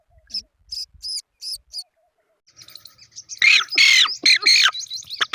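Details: Three-day-old black francolin chick giving short, high chirps roughly every third of a second. These build into a run of louder, rasping, squawky calls over the last two seconds.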